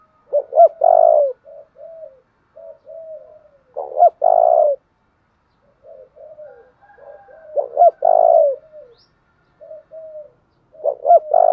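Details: Spotted dove call used to lure and train decoy birds: repeated cooing phrases of soft low notes building into loud throaty rolling coos, recurring about every four seconds, quiet background.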